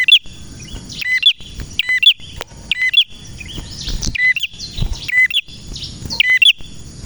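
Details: Male prenjak in full voice, rattling off high, metallic chirping phrases almost every second for seven seconds, each bright twitter falling to a lower note, with faint secondary twitters.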